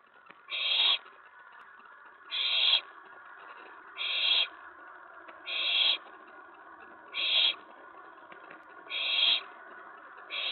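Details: On the night of 19 May 2017, an owlet in a nest box calls after an owl lands on the tray; short hissing screeches repeat steadily about every one and a half seconds, seven in all.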